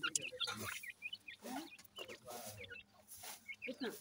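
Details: Grey francolin chicks playing together give short, high, slurred peeps in quick irregular bursts, with low voice-like sounds and scuffling in the background.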